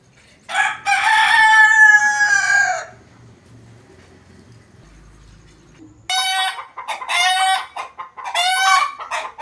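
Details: A desi rooster gives a loud, drawn-out crow lasting about two seconds, then after a quiet pause three shorter, ringing crowing bursts in quick succession.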